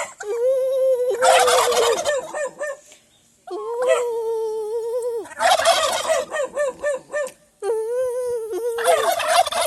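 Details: Domestic turkeys kept by their owner in Aratoca, Colombia, call back as the owner communicates with them: sustained, harmonic yelps and rapid, bubbling gobbles in several bursts, with several birds overlapping at times.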